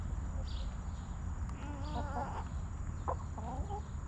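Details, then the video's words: Backyard chickens in their coop: a hen utters a drawn-out, warbling cluck around two seconds, followed by short choppy clucks near three and three and a half seconds, with a low constant hum beneath. "Rooster Crowing! Hens Clucking!"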